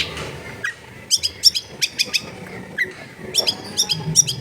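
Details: Long-tailed shrike in a crowded residential neighbourhood uttering short, sharp ticking notes in loose clusters, with a few high thin whistles between them and faint low background noise.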